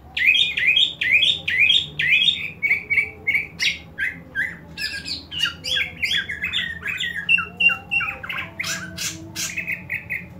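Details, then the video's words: Loud fighting call of a greater green leafbird, used to spur other leafbirds to fight: a continuous stream of harsh squawky chirps and slurred high notes, repeated roughly three times a second with varying tone. "CUCAK IJO TARUNG INI, COCOK UNTUK MELATIH MENTAL TARUNG CUCAK IJO LAIN"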